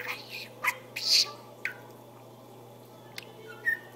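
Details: Pet budgerigar chattering indoors, a few harsh speech-like bursts and a high squawk early on, then quieter gaps and a short whistled note near the end, over a low hum.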